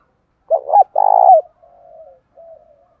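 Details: Spotted dove from a full set of calling, urging and crooning calls for training keepers' doves: a doubled hollow coo, a long burred rolling coo falling away, then two soft quiet trailing coos.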